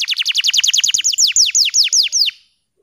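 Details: Tutor song from a bottle-green canary for young canaries learning to sing: a quick chattering trill of descending chips, slowing into half a dozen broader falling notes, then quiet.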